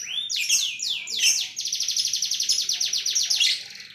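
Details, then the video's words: A canary sings a sharp, high-pitched song: fast descending sweeps, then a steady rapid trill of about ten notes per second. "TEMBAKAN KENARI SUPER TAJAM"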